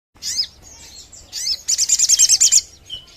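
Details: Crimson sunbird sound played to lure birds: scattered high thin chirps, then a rapid, evenly pulsed run of about nine sharp, very high notes, ending with a short trailing chirp.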